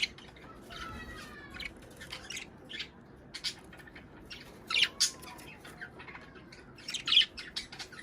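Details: Budgerigar sounds for prompting breeding: thin gliding whistles mixed with scattered harsh squawks and chirps, sparser than constant chatter, with sharp louder bursts in the second half.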